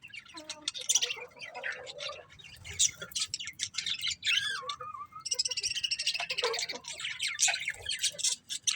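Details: Several colourful budgerigars chattering together: dense, fast warbled chirps and scratchy notes, with a few short whistled glides in between and no pauses.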